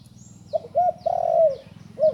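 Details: Young spotted dove that has just begun to call gives two short coos and then a long, level coo that drops at the end, followed by one short coo. A steady low hum runs underneath.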